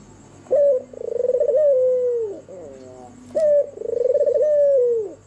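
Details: White red-eyed albino turtle dove cooing at night: a sharp high coo, then a rolling, pulsed coo that slides downward, given twice with a quiet pause between.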